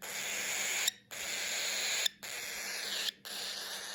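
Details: Cockatiel baby noises: a steady, raspy hissing wheeze broken by brief pauses, calling for food or attention; though it may sound angry, it is a request for affection and can persist into adulthood.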